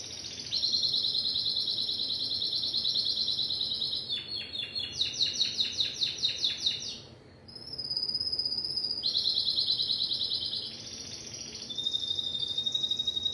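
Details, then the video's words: Timbrado canary singing long high trilled tours, a slower series of clicking pulsed notes, a brief pause, then a clear whistled note and further rolling trills. "اسطوانة تغريد كناري التمبرادو صوت صافي عالي الجودة Chant Canari"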